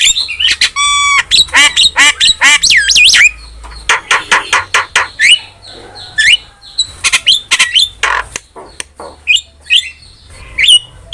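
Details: Vigorous starling song from a training recording for kept starlings, mixing sharp clicks, rising and falling whistles and buzzy chirps in a rapid, varied stream with brief pauses.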